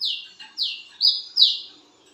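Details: Four piercing whistled notes from a wiceh bird calling at midnight, each starting high and gliding down or staying level, spaced about half a second apart.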